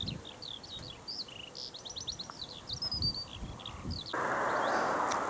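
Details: A Eurasian skylark sings a fast, unbroken stream of high chirps and trills over ripe barley fields at Caldecote House Farm Conservation area, Bedfordshire, England, on 6 July 2020. Strong wind rumbles throughout, with a rush of noise near the end.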